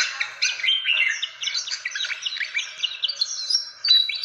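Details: Fantail calling, played as a bird-attracting lure: rapid, jumbled high chirps and thin whistled slurs, some upswept, running continuously and evenly loud.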